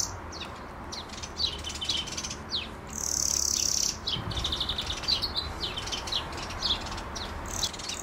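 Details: European greenfinch recorded with a Nikon Z6II camera: repeated bright twittering trills, then a prolonged buzzy wheeze of roughly a second, then further rapid rattles and chirps continuing to the end, over soft low background noise.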